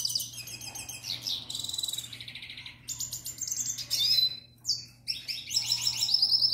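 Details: Captive canary, a youngster from the previous year, courting a female with song: blocks of rattling trills, buzzy rolls and bright whistles, each phrase lasting about a second, broken by brief gaps; low hum underneath.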